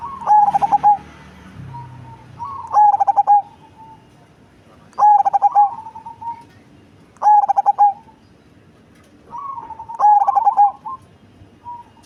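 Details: Deep-voiced, big-bodied cemani zebra dove repeats its staccato cooing phrase five times, roughly every two and a half seconds. Gentler trailing coos follow several of the phrases.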